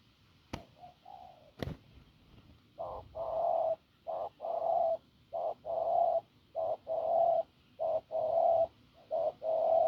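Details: Hoarse, strong-voiced spotted dove from the fields, cooing: two sharp clicks and a soft opening coo, then a steady series of low rasping short-long coo pairs about every second.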